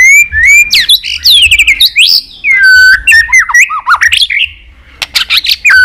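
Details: White-rumped shama singing a fighting song meant to rouse rival birds: a loud, varied medley of sweeping whistles, sharp upslurs and squawky notes, nearly continuous, with a brief quieter gap near the end.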